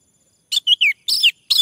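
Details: Male orange-headed thrush song used to prompt other birds to sing: short, rich whistled phrases, some slurring downward, mixed with rougher, buzzy notes in a quick, uneven sequence.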